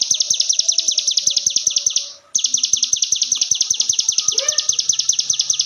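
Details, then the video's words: Ciblek gunung 'ngebren' song used as a master for other birds: a rapid, high, piercing note stream stops briefly, then resumes, with one lower swooping call heard midway. "CIGUN GACOR FULL NGEBREN"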